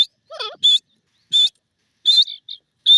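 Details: Grey francolin (teetar) giving loud, shrill, high-pitched notes in short bursts about every half second to a second, with softer, lower, curving whistled sounds between the first notes.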